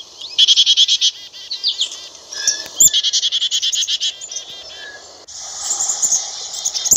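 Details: Black-capped chickadee calling in quick repeated buzzy notes, several bursts in a row, fading into a hissing, noisy stretch near the end.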